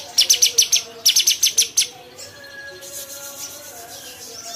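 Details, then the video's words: Bulbul producing two quick runs of bright, high chirps, five or six notes each, then falling quiet while only a soft background whistle remains. "SUARA CUCAK CUNGKOK"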